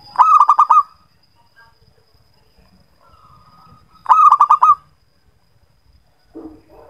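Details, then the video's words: Zebra dove song used as a lure to prompt reluctant birds to sing: two phrases of rapid, stuttering, soft cooing notes about four seconds apart, with a faint short hum between them and a brief lower rasp at the end. "JOS AMPUH UNTUK PANCINGAN KUTUT SUSAH BUNYI"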